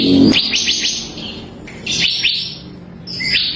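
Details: Bar-winged prinia (ciblek kristal) used as a tutor recording for training songbirds: a quick run of sharp, high upswept chirps, a pause, then more chirps and a final whistled note, after a brief low thump at the start.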